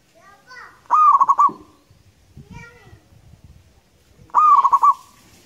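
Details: Indonesian local zebra dove with a loud long song utters two rapid pulsed cooing phrases about three and a half seconds apart, with soft falling calls and low rustling sounds between them.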